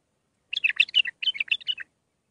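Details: Training song for young bulbuls, Mandali style: a dense run of about a dozen liquid, warbling whistled notes, rising and falling quickly, with a brief break in the middle.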